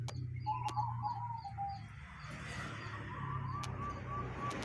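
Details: Local zebra dove giving an unusual call: a rapid trilled coo that drops slightly in pitch, then a second run of quick, evenly spaced cooing notes, over a steady low hum and a few sharp clicks.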